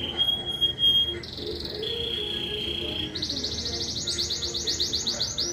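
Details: Domestic canary of the Belgian fibra type singing in the 12th edition of a singing competition in Juiz de Fora, Minas Gerais, Brazil: long steady whistled tones that step between pitches, then a fast bright rolling trill of repeated notes, over faint low background murmur.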